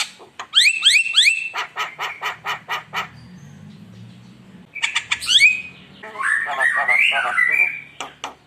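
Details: Javan myna song used as a lure to excite rivals: rising squeaky whistles over fast clicking notes, a pause with faint low hum, then more upswept whistles and a harsh warbling chatter.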